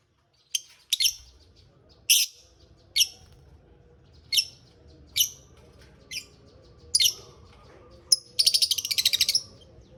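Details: Shrill, clipped chirps from a lovebird in a mini aviary, spaced about a second apart, ending in a rapid buzzy chatter of quickly repeated notes.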